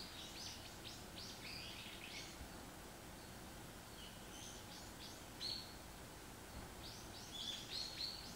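Varied tit giving quick clusters of high, thin chipping notes, then a few short clear whistles near the end, over a steady low rumble.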